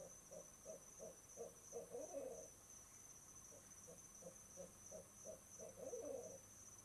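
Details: Mated barred owls at their owl box, 6 pm on 11 November 2008, calling to mark the nest site: a run of short, evenly spaced hoots twice building into bursts of excited overlapping cackling, faint crickets and a high electronic whine behind.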